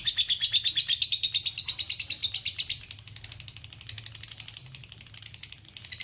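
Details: Lovebird masteran, ngekek panjang: a loud, rapid high trill for the first three seconds, then softer and more broken pulsing continues, rising again toward the close.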